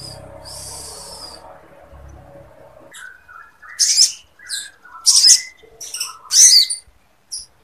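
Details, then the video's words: Lovebird phrases sung by a lively sogon, used as a tutor recording for training songbirds and raising breeding readiness; after three seconds of low background murmur, short high buzzy chirps and twittering bursts with sliding whistled notes. "SOGON GACOR ISIAN LOVEBIRD"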